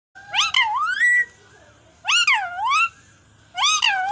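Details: A talking parrot gives three loud, harmonic-rich vocal phrases about every one and a half seconds, each with swooping rises and falls like mimicked speech, apparently "mama".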